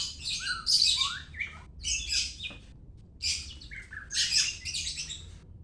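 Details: White-rumped shama from Medan delivering loud bursts of rasping high chatter mixed with short slurred whistles, in phrases roughly a second long separated by brief gaps.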